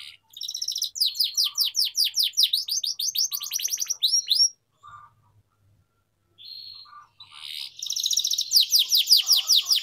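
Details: Long canary song meant as a lure for young canaries learning to sing: rapid descending chirps in tight series, a pause with a short buzz, then another fast run of sweeping notes.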